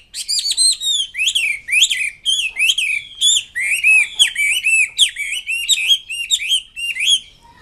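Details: Red-billed blue magpie singing vigorously: a rapid series of loud, clear whistled notes with strong overtones, each dipping then rising sharply, repeated several times a second for the whole stretch, with no other sounds present.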